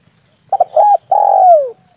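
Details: Spotted dove hunting lure: quick paired notes, a short coo, then a long smooth coo that slides steadily downward, clean and loud over a soft high thin tone.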